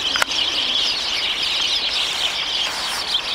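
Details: Sparrows trilling: a dense, continuous chorus of high chirping and twittering trills with no pauses, plus one sharp click near the start.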